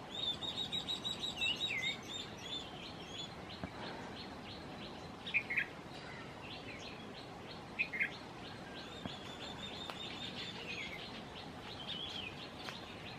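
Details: Baya weaver with its chicks: a busy stream of high, rapid chirps and short trills, loud at the start and then scattered, with a few sharper twittered notes among faint repeated ticks and constant rural background hiss.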